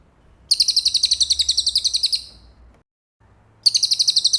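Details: Cililin song for teaching a champion white-rumped shama: a two-second run of rapid, shrill repeated notes trailing off, a second of silence, then the next trill starting.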